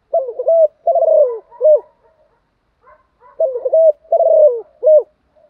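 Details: Caged decoy spotted dove, trained to coo all day to rouse newly caught birds, giving two bursts of low, husky cooing phrases, each a quick run of rolling notes ending in a longer held coo, separated by a short silence.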